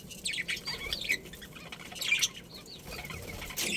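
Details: Budgerigars in a breeding colony chirping softly: quick high twittering notes and short warbles in irregular bursts, fairly quiet, with a brief rustle near the end.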